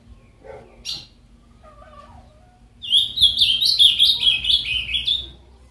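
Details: Caged ultramarine grosbeak kept as a pet gives one lively warbled song phrase of quick sweet notes rising and falling, lasting nearly three seconds, after a few faint clicks and a brief squeak.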